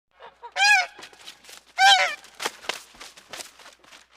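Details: Goose giving two loud, harsh, nasal honks rich in overtones, about a second apart, followed by softer clucking and short rustling notes.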